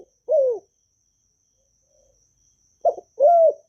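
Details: Vietnamese spotted dove giving a calling and urging coo used to stimulate newly caught doves: a lone falling low note, a pause of about two seconds, then a stuttered note and a level coo.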